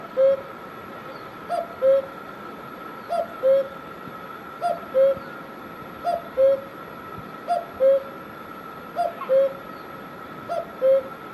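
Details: A cuckoo in Himachal Pradesh, India, repeats its cu-coo call steadily, a soft rising first note and a stronger, lower second hoot, eight pairs in about eleven seconds, over a faint continuous hum.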